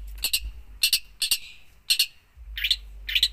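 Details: Cendet, or long-tailed shrike, singing hard with a 'full isian' fill-in song. Short scratchy, chattering bursts are separated by brief gaps, over a faint low background hum.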